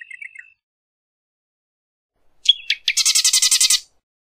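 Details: Marsh wren song: after a few soft high chips, two sharp introductory notes lead into a dry, rapid buzzy rattle of about ten pulses lasting under a second.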